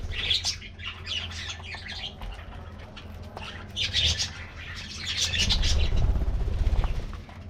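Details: Colorful budgies in an aviary enjoying a morning diet treat, rapid overlapping twitters and warbles in repeated bursts, with rumbling and wing noise growing louder near the end.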